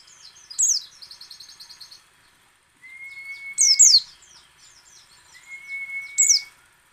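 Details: White-eye (pleci) in ngecal, ngalas and nembak song, used to spur other white-eyes to sing. Sharp chirp bursts and buzzy rattled trills come in short spells, and two long, steady, even-pitched whistles run beneath them.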